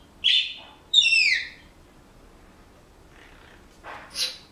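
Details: Household Senegal parrot whistling: a short bright note, then a longer whistle falling in pitch, followed after a gap by a few faint rough sounds and a thin high chirp.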